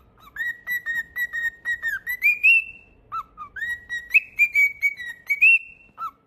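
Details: A pet cockatiel whistles a tune of evenly spaced pure notes that rise in steps to a long high slide, pauses briefly, then repeats a similar rising phrase.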